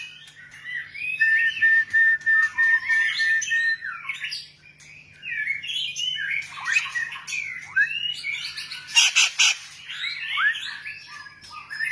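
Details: Varied song of a white-rumped shama: a long steady whistled note held for about three seconds, then rapid twisting whistles and chatters, a harsh buzzy burst near the end, over a faint constant low hum.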